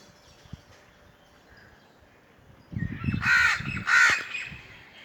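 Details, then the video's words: After a quiet stretch with rustling and low thumps, a crow gives two loud, hoarse caws close together near the end. "Crow call | Crow sounds | Crow sound effect"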